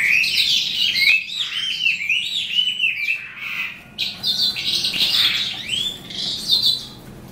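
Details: Eastern calandra lark singing as the day ends, a long torrent of mimicking chirps, rattles and arching whistled slurs, dense and continuous with a short lull near the four-second mark.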